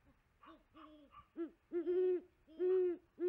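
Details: Great horned owl female on a tree nest at 5 pm, recorded by a live nest camera, male calling in the background; faint hoots at first, then loud, deep, drawn-out hoots roughly every half second to second.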